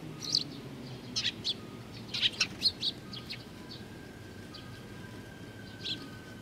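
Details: Eurasian tree sparrow youngsters on 19 June 2019 give a run of sharp, high chirps in quick succession early on, then sparser, softer notes fade out over steady low background noise.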